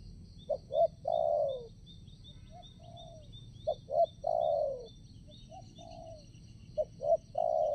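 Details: Spotted dove used to attract wild doves for trapping, calling at a new location. It repeats soft coo phrases with brief lead notes and long falling tones, interspersed with quieter single coos, over regular high insect chirps.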